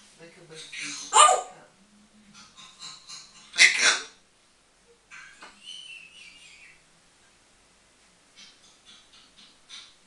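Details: Pet African grey parrot having fun and talking away at home: loud broadband squawk-like bursts near one and four seconds, softer chattering and whistled notes between, then quiet scattered sounds toward the end.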